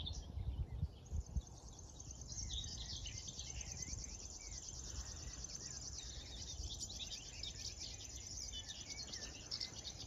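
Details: High, rhythmic cricket-like reeling of a river warbler near Tynaarlo, Netherlands, by the Drentse Aa, morning of 10 June 2022, running steadily for many seconds while other birds sing quieter phrases underneath.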